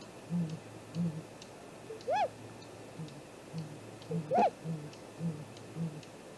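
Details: Great grey owl vocalising from the nest camera tree at 7:15 am, 2 April 2018, during a nest visit: soft, deep hoots repeated roughly twice a second, with two arched whistled calls rising and falling near the middle.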